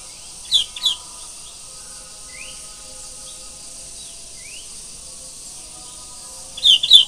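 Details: A sooty-headed bulbul sings at morning time: quick bubbly phrases open and close the stretch, with faint upslurred chirps between them. A constant high insect drone runs underneath.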